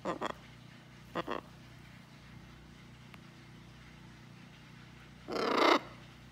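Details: A pet blue-and-gold macaw on a farm, chatting with its owner, gives two quick raspy bursts, falls quiet, then lets out one louder, harsh squawk near the end.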